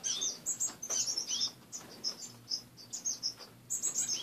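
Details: Several caged pet finches heard in the morning: lively high twittering with quick repeated chirps, some clustered, others spaced, steady low hum in the background.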